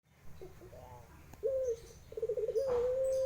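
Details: Barbary dove of the puter pelung guguk style cooing: a few soft low notes, then a rapid quavering burst that runs into a long, steady, drawn-out hum held to the end.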